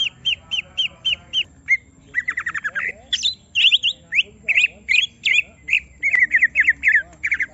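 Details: Greater green leafbird provoked into showing its full song repeats paired notes several times, breaks into a fast trill, then pours out loud, varied, squawky phrases.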